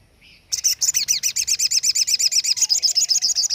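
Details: Sogon song favoured by bird keepers as a master recording for tutoring other songbirds: after a brief soft note, a rapid run of loud high chirps begins, around four per second, steady to the end, with a faint low whistle behind.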